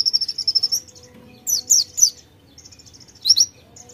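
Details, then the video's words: White-eye in full song with konin fill-in: a quick series of high chirps ends in a rising flourish, then separated bursts of scratchy, descending high notes and soft twitters between them. "PLECI NEMBAK ISIAN KONIN GACOR"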